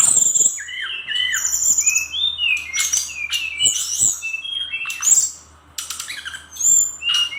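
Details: Brown-chested jungle flycatcher singing in lively, rapid style full of filler phrases: varied high whistles, downslurred notes and buzzy bursts follow each other with short gaps, with a faint low hum underneath.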